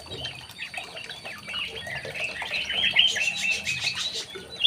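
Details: Young male White-rumped shama in an aviary giving a dense, scratchy, chattering warble of quick high notes that grows louder and busier toward the end, with faint background hiss.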